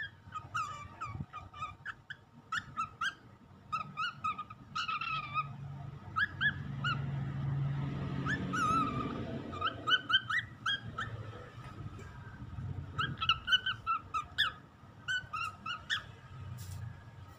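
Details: Four-month-old Lutino cockatiel, learning to sing and talk, sings short, repeated whistled chirps with a low rumbling noise in the background.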